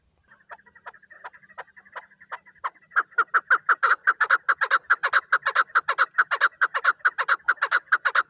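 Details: Chukar partridge, called a hunting chukar, starts with soft, sparse clucks that build after about three seconds into a loud, rapid run of rasping chuk notes repeated roughly twice a second until the end.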